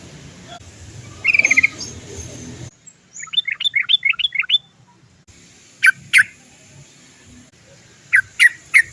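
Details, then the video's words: Sooty-headed bulbul uttering its 'cok cok cok' lure song meant to make others sing: a brief buzzy burst over background noise, a run of bubbly rising notes, then sharp paired notes. "TRUCUKAN GACOR ... suara cok cok cok ngerol panjang PANCINGAN burung trucukan agar cepat bunyi"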